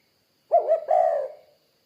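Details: Spotted dove giving one short burst of low, throaty cooing, a quick double note and then a longer slurred coo that trails off.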